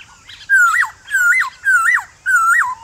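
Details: Black-throated laughingthrush male in morning song meant to make wild birds sing back. Four loud phrases roughly every half second, each a level whistle ending in a sharp upward-then-downward flick.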